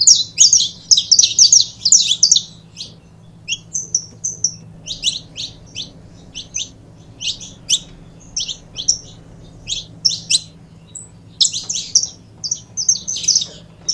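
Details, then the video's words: A pair of saffron finches, offered as a recording for stimulating other birds to sing. Dense bursts of high, sharp chirps and trills fill the first three seconds, then short chirp groups come about every second over a faint low hum. "Casal de Canário da Terra Bom Para Foguear"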